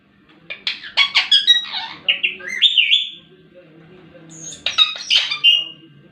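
An Indian ringneck parakeet chatters in bursts of high, squeaky mimicked speech, with quick syllables and rising, slurred notes, in two runs separated by a short pause.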